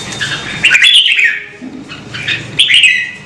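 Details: Red-whiskered bulbul song used to urge birds to sing: two cheerful warbled phrases about two seconds apart, each sliding from a higher note downward, with a faint hum behind.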